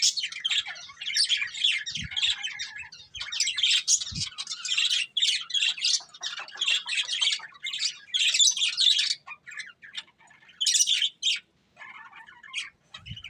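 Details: Breeding pair of budgerigars chirping: dense, scratchy warbling chatter with sharp squawks and tweets in fast bursts, pausing briefly, plus a few soft low knocks in the background.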